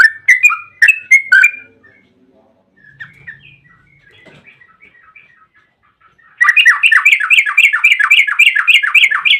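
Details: Yellow-vented bulbul singing a lure to prompt other bulbuls: a few loud whistled notes, a long quiet stretch with scattered soft notes, then a rapid, sustained rolling trill (ropel panjang) for the last three seconds.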